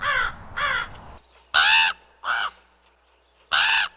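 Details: Raven giving five harsh, grating calls at uneven intervals, the later ones louder and brighter, separated by quiet pauses of up to a second.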